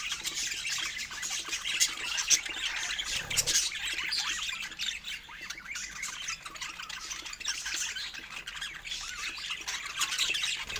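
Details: Several pet budgies chattering while they eat fruit: a continuous blend of high, scratchy chirps and squeaks, with a brief low thump near the fourth second.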